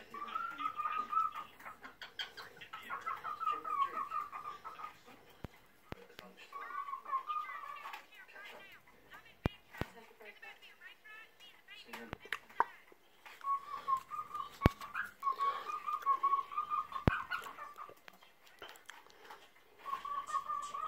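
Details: Mr Lucky, a 7-year-old male pet cockatiel, sings to his food as he eats it, in warbling, whistled phrases that come in bursts, with sharp clicks between them.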